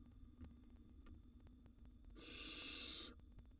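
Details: Young wild barn owl contesting food with an older brother in a nest box: quiet hum and faint taps, then a single strong, airy hissing screech lasting about a second.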